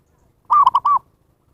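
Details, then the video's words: Zebra dove lure call used to attract wild birds: one short phrase of four soft, mellow cooing notes, the middle two clipped and stuttering, the outer two longer and slightly arched, against a silent background. "SUARA PIKAT PERKUTUT นกพิราบชวา Chim Cu Vằn | memanggil burung liar"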